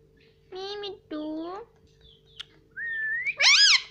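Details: Pet Indian ringneck parrot imitating speech. Two steady, childlike voiced syllables are followed by a rising whistled glide and a shrill upward-bending note. A low steady hum runs underneath.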